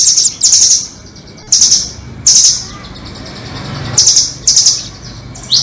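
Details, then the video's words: High-pitched nuthatch song used to lure birds into traps, doraemon and red-billed types: clusters of sharp buzzy trills, each under a second, spaced irregularly by quiet gaps, ending in a rising squeak. "Pikat burung rambatan doraemon vs paruh merah"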